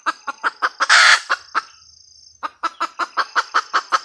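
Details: Red junglefowl hen: a run of rhythmic clucks rising into a loud raspy squawk, a short pause, then a steady, evenly paced series of clucks about five per second.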